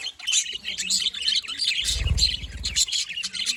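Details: Budgies in noisy group chatter, rapid squeaky and buzzy chirps overlapping throughout, with a short low rumbling thud midway.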